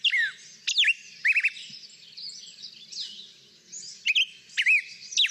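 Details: Black-headed Grosbeak in the Boise, Idaho area sings quick, clean whistled up-and-down phrases, high-pitched and fast, in rapid bursts with brief pauses between them.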